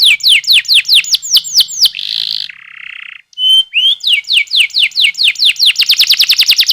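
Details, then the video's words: Canary long rolling lure song for young canaries: falling whistled tours, a buzzy roll and lower hum, a brief whistle, then sweeping notes speeding into a fast trill. "MASTERAN Kenari Paud CEPAT Bunyi‼️ Pancingan KENARI GACOR DURASI Panjang Ngerol"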